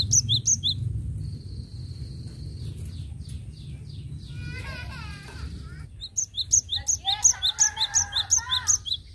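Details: Cinereous tit, energetic song used as a lure: high sharp paired whistles open and close the passage, briefly repeated rhythmically, while another bird's lower, warbling notes and a thin sustained whistle sound in the middle.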